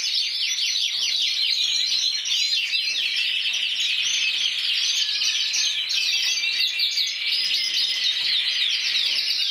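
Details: Champion intense yellow canary from Spain, 2014 individual winner with 94 points, delivering fast rattling trills and bright chirped phrases in an unbroken, energetic flow.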